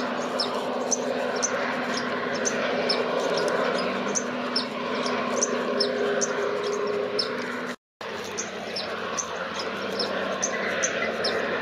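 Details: A white-vented violetear at Campo Quijano, Salta, Argentina, gives sharp, high chip notes, about two each second in a steady series, over a constant rushing background.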